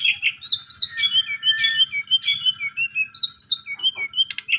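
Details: Asian pied starling song played as a lure to set a silent bird singing: a busy stream of short whistled and chattered notes, quickly repeated and uneven in rhythm.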